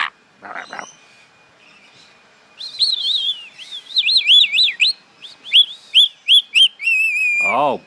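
A pet Rainbow Lorikeet gives a quick run of clear, looping whistled notes, about three or four a second, with a person's voice briefly at the start and end.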